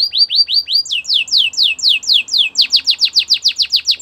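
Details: A Belgian canary sings rhythmic sets of down-slurred whistled notes, each group pitched a little differently, speeding up into a fast run of crisp falling notes.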